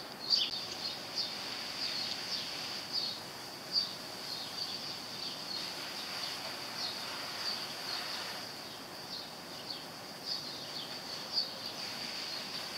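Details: House finch at a thistle sock feeder giving short, high chirps at irregular intervals, a few close together, over a steady high-pitched insect drone.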